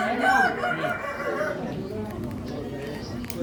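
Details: Indonesian Kukuak Balenggek rooster at a crowing contest in Solok, West Sumatra, closing a crow with a falling, stepped tail in the first second and a half, followed by crowd noise and distant crowing.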